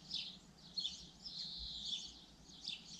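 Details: Common linnet singing: quick, scratchy twittering phrases high in pitch, bursts of chirps and trills tumbling together over about three seconds, with a faint low background hum.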